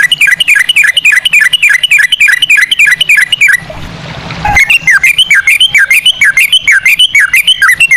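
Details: Trucukan, the yellow-vented bulbul, sings a lure song in long ropel style with cucak rowo phrasing: rapid, evenly repeated slurred chirps, broken by a second of noisy hiss midway, then resuming.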